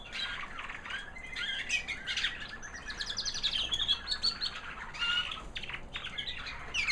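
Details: American Singer canary hen, white, singing after the molt, a bird that raised babies the year before: a continuous high sweet warble of trills and buzzy rapid notes.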